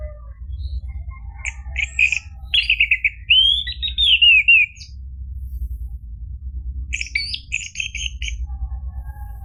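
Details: Orange-headed thrush song used as a lure to make a silent kept bird answer and sing continuously: scratchy chattering notes, then a loud rising-and-falling whistled phrase, a pause, and another burst of chattering notes.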